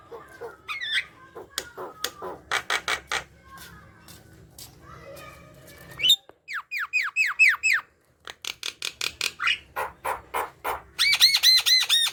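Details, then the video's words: Javan myna singing as a lure for mynas that are slow to sing: scattered scratchy notes at first, then a lively stretch of downslurred whistles, dry ticks and bright repeated chirps. "Jalak kebo gacor | pancingan jalak kebo malas bunyi"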